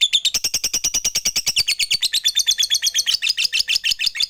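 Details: Fighter lovebird in long "ngekek" chatter, calling out to rivals: a steady, rapid string of shrill, harsh chirping notes, around seven per second, continuing unbroken throughout.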